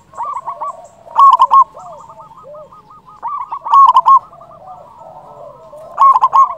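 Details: Zebra dove used as a trapping lure. Loud short bursts of rapid rolling coos recur about every two and a half seconds, and softer, lower doves call continuously in between.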